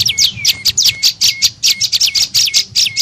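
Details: Prenjak lumut tailorbird lure call for drawing birds: loud, high chirps that drop quickly and trail off in a level tone, repeated about two to three times a second.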